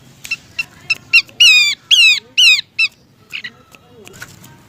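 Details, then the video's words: Lure recording of a female Horsfield's babbler calling the male: a few sharp chips, then three long loud whistles sliding downward, trailing off into softer scattered notes. "Suara Pikat Burung Pelanduk Semak Ampuh || Pelanduk Semak Betina Memanggil Jantan"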